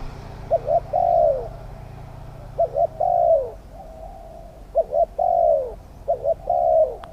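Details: Spotted dove used as a lure for wild doves. Four cooing phrases, each a quick two-note stutter followed by a long, gently falling coo, spaced about two seconds apart over a soft background hum.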